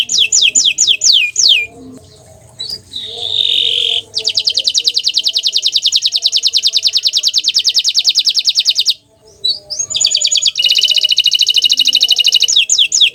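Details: Song of a bottle-green canary moving through tours: rapid down-slurred phrases, a sustained whistled note, long even trills of very fast repeated notes, and a final burst of quick slurs.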